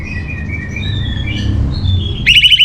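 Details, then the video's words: Orange-headed thrush master song for training kept birds: thin drawn-out whistles sliding up and down, ending in a loud burst of fast buzzy notes, with low background rumble. "Menstabilkan Burung ANIS MERAH Dirumah Baik EMOSI & Birahi dengan Mendengarkan Kicauan Masteran ini"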